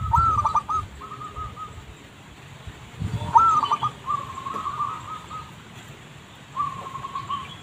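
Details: Zebra dove song from a lure recording, several rolling phrases of rapid staccato coos at a steady pitch, some longer and trailing, over low background rumble.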